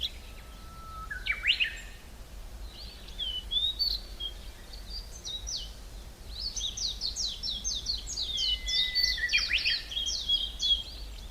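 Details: In the Hallerbos forest south of Brussels, Belgium, a low whistle and brief rising chirps give way to a dense, quickening burst of high falling notes, with a level whistle underneath.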